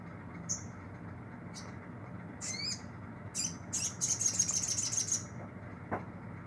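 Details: Olive-backed sunbird in care, now singing often: separate high sharp notes and a downslurred chirp lead into a fast, thin, very high trill of about one and a half seconds, with constant low background rumble.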